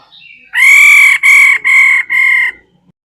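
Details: Female laughingthrush calling with four loud, drawn-out nasal notes at a steady pitch, each about half a second long and separated by short gaps. The notes are rich in overtones, with a faint softer note just before them and quiet surroundings.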